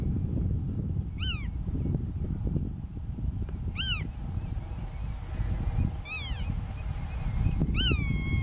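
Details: Black-tailed godwit filmed at Marken, June 2020, giving four separate nasal, arching calls spaced roughly every two to three seconds, the last one longer and trailing off, against constant low-pitched wind noise.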